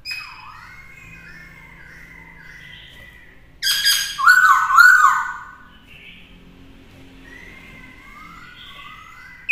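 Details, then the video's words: Caged black-throated laughingthrush used to train a young bird to sing in the forest-voice style: soft whistled warbling notes, then a loud burst of rich, rolling phrases near the four-second mark, fading back to quiet whistles. "Luyện Khướu hót nhiều giọng hay - Luyện khướu bổi hót hay - Kích khướu căng lửa hót múa"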